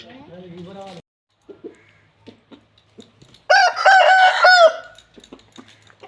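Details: An Aseel rooster held in its owner's hands gives a loud, harsh crow, rising then falling over about a second.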